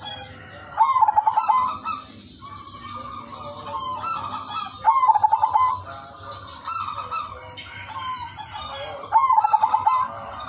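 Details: Zebra dove, udanmas silver line, in melodious lively song used as a lure for other doves: three rolling coo phrases roughly every four seconds, stuttering pulsed notes after a drawn-out opening, steady high background hiss.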